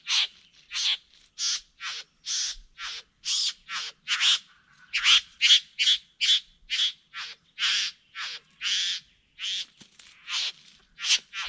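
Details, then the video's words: Satin bowerbird, the male performing its courtship dance at Wombeyan Caves reserve: a rapid series of harsh, buzzy, noisy notes repeated more than once per second, steady and fairly even in loudness. "Satin Bower Bird's Courtship Dance"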